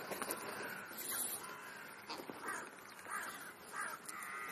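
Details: Crows calling while feeding during a mid-morning snack, giving several short harsh caws spaced about a second apart over steady background noise.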